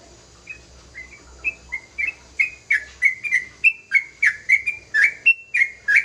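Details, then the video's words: Sooty-headed bulbul, a young bird, delivering rapid repeated whistled chirps, soft and spaced at first, then louder and faster at roughly three notes a second, each note a short bright slur with a slight downward bend. "Suara burung trucukan muda gacor"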